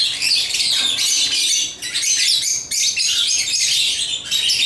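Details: Captive African lovebirds busy with toys give rapid, shrill twittering chirps in clustered bursts, the chatter dipping briefly around two seconds before picking up again.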